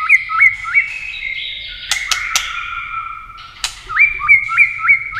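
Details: White-rumped shama in a clicking, tail-beating contest style that stimulates birds to sing: repeated rising whistled notes, a burst of sharp clicks, then the rising whistles resume in a quick regular series.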